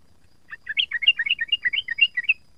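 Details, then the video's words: Young sooty-headed bulbul practising its song: a rapid, continuous warbled twitter of short notes that jump up and down in pitch, with no other clear sounds. "burung trucuk muda belajar bunyi dan ropel"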